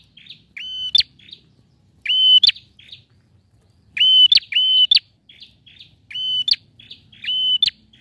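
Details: Loud male bar-winged prinia song meant to coax a quiet bird into singing; each phrase pairs a flat high whistle with a sharp snapping note and trailing buzzy chirps, repeated at irregular intervals.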